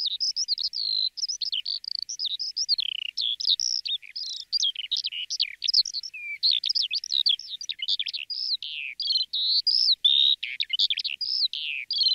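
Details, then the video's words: Long stretch of lark song, a dense, restless babble of high twittering, warbling and rolling notes poured out with barely a break. Only the single bird is heard. "Жаворонок lark"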